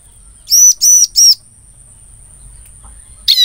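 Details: Bar-winged prinia lure call for attracting its own kind: three quick, loud, arched chirps in a tight row, a pause, then the start of another note, with a faint steady high whine.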